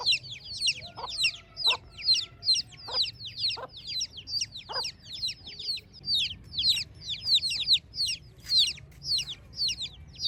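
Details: Chicks in a village in the morning, chirping nonstop: sharp, high, downward-sliding peeps packed in quick runs of several per second, with a few lower clucking notes mixed in.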